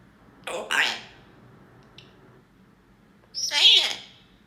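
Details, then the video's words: A parrot mimics the words "come on" in an emotional tone: two voiced, speech-like syllables near the start, then a louder, strained, rising squawked syllable after a pause of about three seconds, in a quiet room. "Bird says Come On with Emotion"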